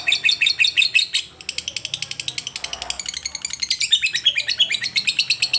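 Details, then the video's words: Lovebird kept as a cage bird, in a recording meant to make a seldom-singing bird sing; fast high-pitched chirping chatter in dense pulsed bursts, briefly softening near the middle before resuming at a steady, rapid pace. "Love bird yang jarang bunyi agar Gacor"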